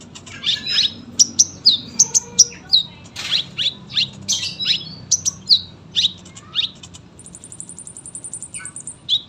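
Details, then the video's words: Lively caged sunbird song, kept for tutoring young birds: sharp high chips and short whistled notes in quick, uneven bursts, ending with a fast, thin, buzzy trill held for about two seconds before a final chip. "KOLIBRI GACOR PANJANG SUARA RAPET"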